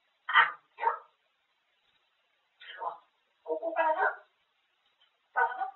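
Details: Grey parrot indoors, talking non-stop about food in Korean, asking a magpie whether it has eaten and mentioning apple juice; short voice-like phrases in five separate bursts with pauses between, mid-pitched and clipped.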